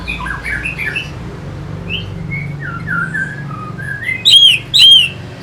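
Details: Orange-headed thrush song used to stimulate fighting birds: a string of short clear whistled notes stepping down in pitch, ending with two loud sharp ringing notes.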